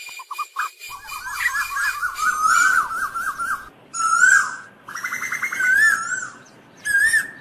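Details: Asian koel calling its flock: clear whistled notes that rise and fall, given in short bursts a second or two apart, over a background of busy chattering from other birds.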